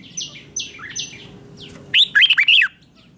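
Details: Red-whiskered bulbul morning song used for training, described as contest-style singing. Several thin, falling high whistles come first, then a loud, quick burst of bubbly, warbled notes near the end, with a low background hum.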